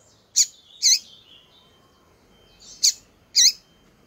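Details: Female double-collared seedeater giving calls that excite males: four loud, clipped, very high chip notes in two pairs about two seconds apart, each followed by a short faint slur, over a quiet background.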